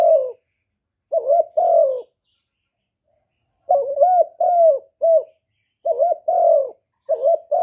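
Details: Spotted dove cooing in calling, coo and urging styles used to stimulate other captive males; no background noise. Two-part mellow coos, short note then drawn-out falling one, with a pause mid-clip before five more phrases.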